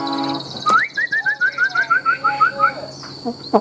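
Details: Tame, large-bodied Chinese hwamei giving a lower, evenly spaced series of about a dozen short rising whistles, roughly five per second, after a sharp opening note, with a faint steady hum behind.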